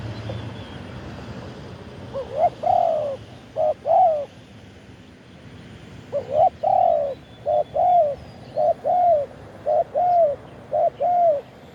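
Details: Spotted dove decoy on a perch, calling out to wild birds and recorded live: rhythmic paired coos with a slight rise and fall, repeated about once a second in bursts separated by a short pause. Soft distant bird notes behind.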